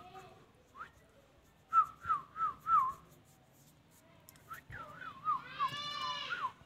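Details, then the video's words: Indian ringneck parrot giving a string of four short wavering whistled notes, then a longer warbling whistle that turns into a harsh, rasping screech rich in overtones; little else heard. "Indian ringneck |parrot |amazing |parrot ,|talking"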